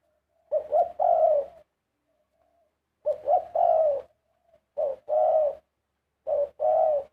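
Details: Spotted dove song in the 'karom' style: four phrases about every one and a half seconds. Each has short rolling coos, then a longer hoarse coo, with faint soft notes between phrases.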